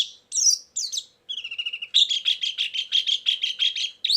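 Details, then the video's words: White-eye song used as a lure for trapping birds, with filler song material: a few sharp high chirps, then a rapid trill, then a long run of evenly repeated bright notes about six per second. "suara burung pleci pikat+isian"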